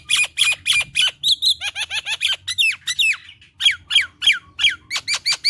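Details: Fast, varied gacor kemrewek delivery from a Nias hill myna, mixing rasping squawks, short whistled trills and downward-slurred notes in an almost continuous stream.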